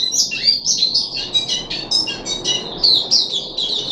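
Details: Puff-backed bulbul in captivity on 14 July 2021, third deworming day, giving a short burst of high chirps, rattly trills and sliding whistled notes against faint background noise.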